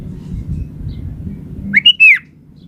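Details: Sooty-headed bulbul in vigorous song, a single short bubbly whistled phrase of a few rising and falling notes lasting about half a second, over a steady low hum.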